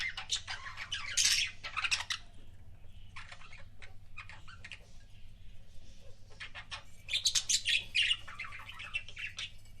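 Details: Budgerigar kept as a pet, producing kissing sounds in two short bursts of clicky, squeaky chatter near the start and end, with quieter scattered clicks between and a low steady hum.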